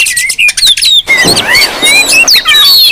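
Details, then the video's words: Several Oriental magpie-robins calling together as a lure to provoke other birds into calling: sharp whistled notes sliding up and down, dense chattering, and a brief quieter gap before a busier stretch. "Suara Kacer ribut Rame Banget sangat cocok buat pancingan"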